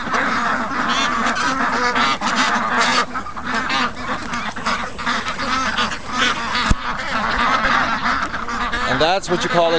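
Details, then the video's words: Impatient young domestic ducks on day 55, calling in the morning to be let out after a late wake-up; a busy chorus of harsh quacks with a sharp knock and a human voice briefly audible near the end. "Morning Rush I Slept In & The Ducks Were Not Amused With This At All"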